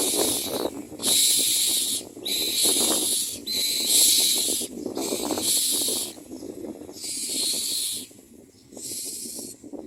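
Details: Common myna nest during feeding of the young, with loud rasping hiss bursts repeated roughly every second, separated by short gaps, and quieter scratchy rustling beneath.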